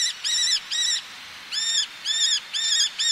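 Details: Eleonora's falcon, a male calling near the microphone with females on ledges and sea nearby; grating squawks in short bursts, two quick notes, a brief pause, then four more evenly spaced.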